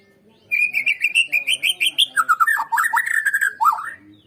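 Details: Murai batu, the white-rumped shama, in a lure song meant to spur other birds to sing: about a dozen quick clear whistled notes rising gently in pitch, then a tumbling string of lower, swooping warbles.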